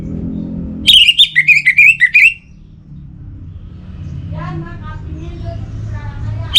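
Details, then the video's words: Caged orange-headed thrush pouring out a fast series of loud, slurred whistles for over a second, followed by quieter faint chirping and low hum. "Obat Gacor Burung ANIS MERAH Buat Burung Yang Lagi Malas Bunyi"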